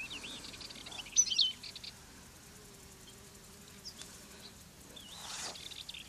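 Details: Wild European goldfinch on fennel plants where it feeds and sings, Garraf Massif, Catalonia: short bursts of high, wavy twittering notes at the start and near the end, separated by a quiet gap with a low steady hum.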